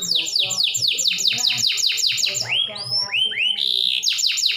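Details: Canary song played to prompt other canaries to sing: rapid repeated descending sweeps, then rising upslurred whistles, ending in another fast trill of sweeps.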